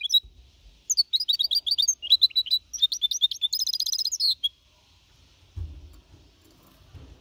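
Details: Clean singing from a young goldfinch hybrid, aged four and a half months, in the Malaga copy style. Bright twittered phrases build into a buzzy rattle, then stop, leaving quiet rustling.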